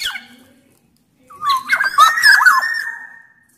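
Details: Sumbawa black-naped oriole in strong, loud song meant to make other orioles sing: a faint falling whistle, then a rush of rough scratchy notes running into a sustained fluty whistle with looping inflections.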